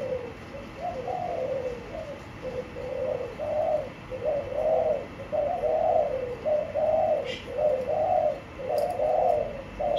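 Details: Spotted dove in a cage cooing in a dense, rhythmic sequence of low, muffled hooting notes, roughly one per second, with a single faint high chirp midway.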